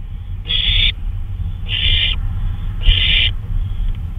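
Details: At 2:39 AM on May 26, 2013, an owl on a night flyabout utters three rasping, hiss-like screeches about 1.2 seconds apart, with a constant low-pitched hum underneath.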